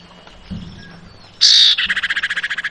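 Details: Female Javan white-eye summoning a male. A faint thin whistle leads to a loud, harsh buzz, followed by a quick run of evenly spaced pulsed notes, like a rattling trill, lasting about a second.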